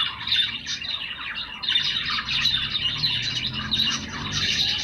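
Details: Several pet budgerigars calling at once, a busy, scratchy warbling chatter with rapid chirps layered over one another, steady for the whole stretch.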